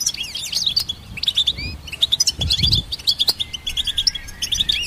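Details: Goldfinch hybrid in full song, a lively jumble of tinkling chirps, quick trills and a long thin whistle near the end, notes following one another without break.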